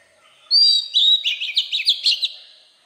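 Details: Oriental magpie-robin singing in wild-type voice, used to stir newly caught birds: a long clear high whistle opening the phrase, then a quick warbling run of slurred, wavering notes fading away, against quiet background.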